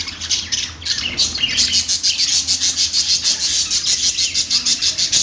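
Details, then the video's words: Budgerigar chattering in a continuous, rhythmic stream of buzzy high notes pulsing roughly three times per second after a few opening chirps. "budgie birds | love birds |parakeet chirping sounds |Australian parrot|bajri totay ki awaz"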